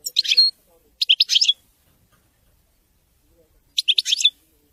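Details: European goldfinch giving Widani-style song in brief, bright bursts of quick high twitters, separated by short silences.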